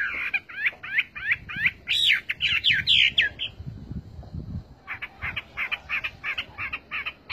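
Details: Chinese hwamei singing a run of about ten quick, arched whistled notes, then a pause and a fresh series of shorter, sharper repeated notes, with faint low rumbling beneath.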